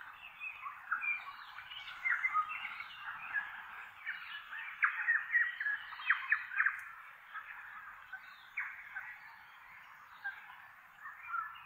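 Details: A flock of tui (Prosthemadera novaeseelandiae) exploring an oak tree in a native bush valley in inland Kapiti, New Zealand, in autumn, calling over one another in a dense, chattering stream of squeaks, clicks, rasps and short fluty notes, with sharp bursts every few seconds.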